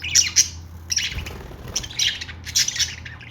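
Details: Budgie calls in three bursts of scratchy, squawking chirps separated by short pauses, over a steady low background hum.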